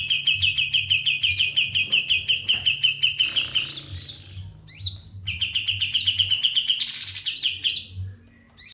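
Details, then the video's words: White-eye singing for use as a training model for other birds: long runs of rapid, evenly repeated high chirps, broken by a burst of scratchy notes, then more quick chirping series, with a faint low hum beneath. "Kapas tembak Gacor tanpa hopp. Cocok buat masteran"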